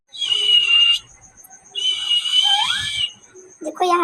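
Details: Pet parrot talking nonstop to itself: two long, steady, high whistled notes, the second ending in a rising slide, followed by a short harsher burst of sound.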